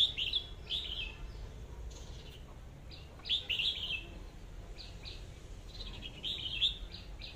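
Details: Red-whiskered bulbul song in bright whistled phrases of two or three notes, delivered in separate bursts about every three seconds, with quieter fragments between and a faint low rumble behind.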